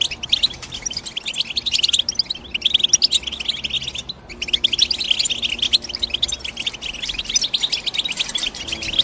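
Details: European goldfinch song of fast twittering chirps and buzzy trills, dense and continuous, with a brief pause about halfway before the bright chatter picks up again.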